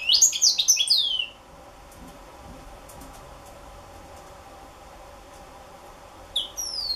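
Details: Juvenile African citril giving a rapid burst of high, thin twittering notes for about a second, then near silence, with a short high chirping phrase returning near the end.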